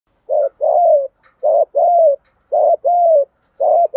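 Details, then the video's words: Spotted dove cooing, a recording of male and female birds used to stir up and lure wild doves and to train decoy birds. Low, hollow coos come in short-long pairs, three pairs at a steady pace in a quiet setting. "tiếng chim cu gáy thúc gù, chim cu gáy kích bổi và luyện mồi nhanh gáy nhất hiện nay"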